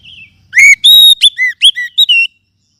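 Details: Oriental magpie-robin lure song to get kacer singing again: a soft opening note, then a lively series of strong whistles. Flat tones, downslurs and rising sweeps come in irregular rhythm.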